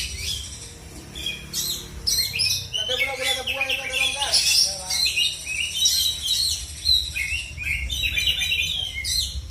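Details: Oriental magpie-robin kept by bird hobbyists in South Aceh, Indonesia: dense twittering and harsh whistled phrases, overlapping with voices and other chirps in a noisy setting.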